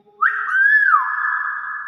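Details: Hill myna imitating the spoken greeting 'Asalamualaikum' as people greet it. A single smooth whistled phrase rises sharply, arches over, falls and then holds a level tone to the end.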